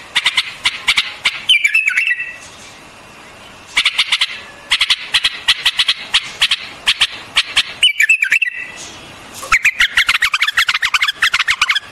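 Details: White-eared bulbul singing: bursts of sharp, rapid clicking notes mixed with short liquid, warbled phrases that dip and rise, in loose groups separated by brief pauses.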